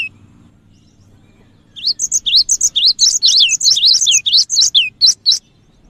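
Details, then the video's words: Lure recording of a cinereous tit, known locally as gelatik batu, meant to draw other birds: after a quiet start, a fast, dense run of high, twisting chirps rising and falling, about four per second. "suara pikat Burung gelatik batu gacor"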